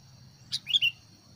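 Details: Sooty-headed bulbul kept as a decoy to lure wild birds into fighting; a brief burst of bright chirps, one sharp high note followed by two quick slurred whistled notes, over a faint steady high-pitched hiss.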